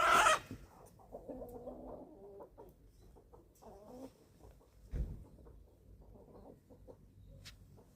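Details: Eleven-week-old chicks at feeding time on a small family farm in Germany give soft low clucks and murmurs, after a brief loud rustle at the start.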